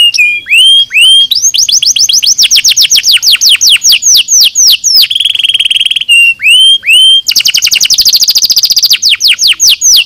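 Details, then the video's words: Nozes-style canary song meant for training birds: upswept whistles, a long series of quick downslurred notes, a buzzy rolled trill, more curved whistles, then a dense high rattle of rapid repeated notes. "Som de nozes para treinar mental"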